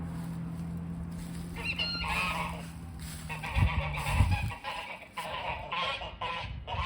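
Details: Geese at a front porch honk and cackle in harsh, nasal bursts, several overlapping in the second half, over a steady low hum of background noise.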